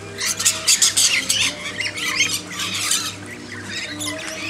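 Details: A flock of lorikeets hand-fed in a backyard screeches in rapid, harsh overlapping bursts, many calls per second, above a steady low hum.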